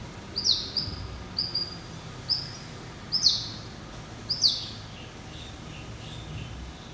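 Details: Pet hybrid finch (yellow-eyed canary × Timbrado cross, hatched November 2012) giving a series of short, high, sharp chirped phrases spaced roughly one second apart, each a quick downward sweep, over a faint low hum.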